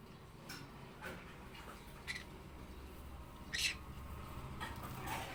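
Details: Green-cheeked conure making noise: short, harsh, broadband squawks in separate bursts, about six over five seconds, the loudest near the middle, over a low steady background hum.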